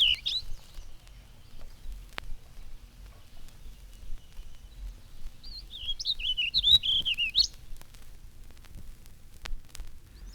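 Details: A Warbling Vireo sings in spring high in a maple, a hesitating, rambling warble as one run-on phrase ending on a rising note, after a brief warbled fragment, with faint background hiss.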